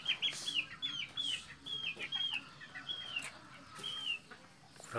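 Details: Captive-bred red junglefowl on a breeding farm in Mukomuko, Bengkulu, Indonesia: a rapid series of thin, high whistled notes that slur downward, several birds overlapping, with soft rustling underneath.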